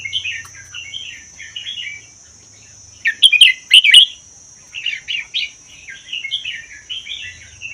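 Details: Caged red-whiskered bulbul, originally wild from Vietnam–Laos and kept a year, in doubled 'berl' style; lilting chirpy phrases, a strong burst around three seconds, then quick repeated warbled notes, steady whine throughout.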